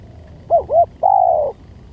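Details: Lure recording of a spotted dove giving one call: a pair of clipped coos and then a sustained, gently falling coo lasting about half a second, over a quiet background.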